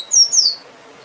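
A finch gives two quick, very high, thin notes that slide slightly downward, ending in about half a second, over a faint quiet background.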